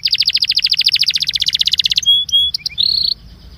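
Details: Belgian canary singing, played to warm up other canaries: a rapid rolling trill of repeated downslurred notes for two seconds, then short pure whistles and a buzzy closing phrase.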